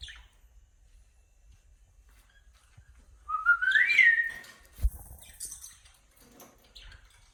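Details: Cute pet cockatiel chirping, giving one clear upward-sliding whistled phrase with a wavering middle, followed by raspy chattering, a single thump and soft scattered chirps against quiet background hum.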